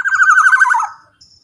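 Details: Loud black-naped oriole phrase meant to draw other orioles: a fast, rolling trill holding steady then sliding downward, followed by a faint short note.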